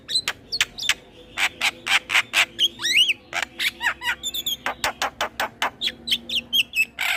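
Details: Singing male Asian pied starling, recorded as a model for other starlings to learn from: rapid harsh clicks and rasping notes interleaved with bent, liquid whistled phrases, continuous throughout.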